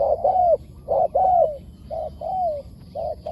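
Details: Wild spotted dove answering a decoy bird, giving its wild-style call: soft mellow coos alternating with longer gently arching notes, about one per second, over a low steady background rumble.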